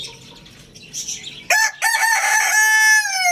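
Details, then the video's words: Lohmann Brown rooster at Lalukhet bird market crowing loudly: after a second and a half of faint chirping, a harsh, strongly harmonic cock-a-doodle-doo starts abruptly, breaks briefly, then stretches into a long, steady, slightly falling final note. "Amazing Roosters Crowing Sound Effect"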